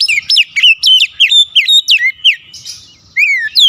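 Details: Oriental magpie-robin song used as a lure and stimulant to get a stressed bird that stopped singing to sing: loud, rapid whistled notes, many sliding sharply down, in quick bursts, then a short pause before more falling whistles.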